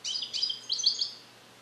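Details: Captive male European goldfinch from 2021, raised in the USA and taught Neapolitan song passages, alone in a carrier: three quick, bright twittering bursts with ringing high notes, fading out.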